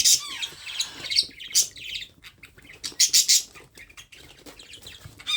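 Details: Hand-fed parrot chick makes rapid scratchy, high rasping bursts that cluster in quick groups and then pause, with one brief squeaky downward note early on.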